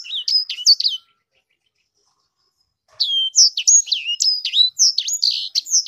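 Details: Caged sanger canary singing a varied, high whistled song of quick looping and down-slurred notes, about a second of phrases, a two-second pause, then a longer run of rapid sweeping whistles.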